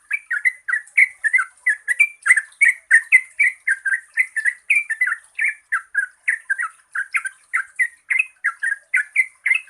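Yellow-vented bulbul singing a long run of bubbly, gurgling phrases, about three a second, over a faint high-pitched hiss.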